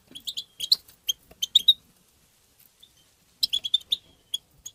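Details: European goldfinch song in the tbtba style: a lively burst of tinkling, high twitters and chips, a near-silent pause, then another fast twittering phrase.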